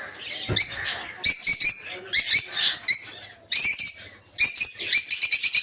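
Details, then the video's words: Peach-faced lovebirds in a breeding aviary, including red-headed green opaline, red-faced dark green, blue rosy and lutino colour forms. Shrill, harsh chirps come in bursts of several rapid notes, separated by short quieter gaps. "Peach-Faced Lovebird's Sounds"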